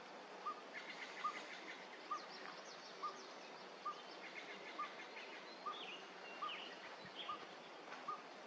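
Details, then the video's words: A Northern Pygmy-Owl in Lane County, Oregon, on 7/1/21 gives a steady series of single, hollow, mid-pitched toots, a little under one per second, with high songbird chatter behind. "Northern Pygmy-Owl (vocalization only)"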